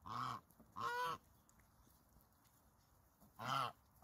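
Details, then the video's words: Goose on a farm giving three loud nasal honks, each about half a second long, spaced apart with quiet gaps between. "som do ganso"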